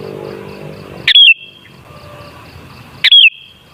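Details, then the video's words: Sooty-headed bulbul singing, used as a lure to set other bulbuls singing; two crisp whistled phrases about two seconds apart, each a quick rising-then-falling twist ending in a thin sustained tone, with soft humming background at the start. "Suara Burung Kutilang Sangat Ampuh Untuk Pancingan Jadikan Kutilang Ngamuk Gacor"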